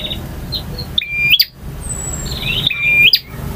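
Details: Song of a male bar-winged prinia in the varied ngotot, ngalun and kristal styles: two bright whistled phrases, each a level note snapping upward into a sharp click, with faint thin notes between.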